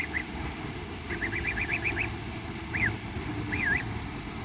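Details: Gosling greeting a person it recognizes: clear whistled peeps, one quick run of fluttering notes, then single arched peeps spaced apart, against a constant low rumble.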